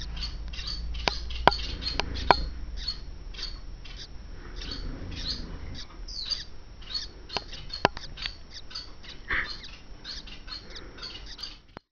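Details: Three-day-old captive Gouldian finch chicks in a nest, recorded 4/9/12, give faint, thin, squeaky begging chirps for food in irregular bursts over a low background rumble, with a few sharp clicks.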